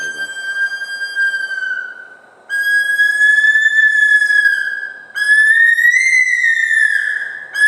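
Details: Bush stone-curlew calling on the Gold Coast, Australia: long, eerie whistled wails, each held steady then sliding slightly upward, three drawn-out notes separated by short gaps.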